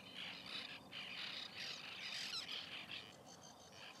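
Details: Busy white-winged tern nesting colony, 2021, with short harsh calls tumbling over one another in a near-continuous rasping chatter, a few clearer squeaky notes mixed in.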